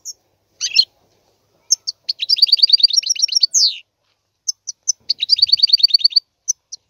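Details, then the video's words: European goldfinch song of tinkling high chirps and a liquid phrase, broken by two quick rolling trills of rapid repeated notes, with short silent pauses between phrases. "تغريد طائر الحسون"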